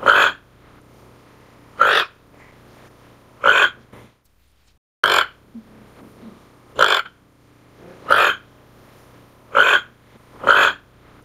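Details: Repeated rough, burping croaks from a Toco toucan, eight harsh notes spaced roughly every one and a half seconds, with one longer silent gap midway.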